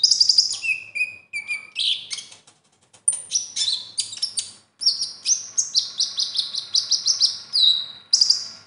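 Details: A kept Ruby-throated Bulbul in strong song pours out fast, high, varied whistles and chirps in bright shifting phrases with short pauses, full of other birds' borrowed notes, material prized by song-contest judges.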